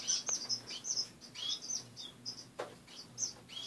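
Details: Several caged finches call in the morning: a busy run of high, thin chirps and short twittering notes, close together, with a few soft clicks and rustles.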